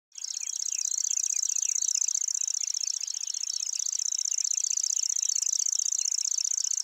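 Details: Lanceolated warbler singing at length in the early morning at Wakka Primeval Flower Garden, Hokkaido, Japan: a continuous, very high, insect-like reeling trill of rapid ticking pulses that runs without a break, with faint chirps of other birds beneath.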